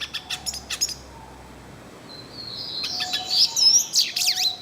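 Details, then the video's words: Wild yellow-faced siskin: a few quick high chirps, a near-silent lull, then a sweeping twittering phrase of thin slurred whistles rising and falling, with faint low whistles nearby. "PITASSILGO DO NORDESTE CANTANDO MUITO NA NATUREZA - CANTO DO PINTASSILGO DO NORDESTE"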